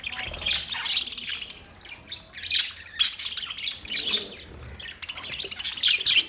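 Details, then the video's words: Budgerigars in a parrot colony calling; continuous high chattering warble broken into loud bursts of squawky chirps, several birds overlapping. "Budgies Parrot colony Parrot colony setup Parrot Talking Parrot video Parrot chirping sound"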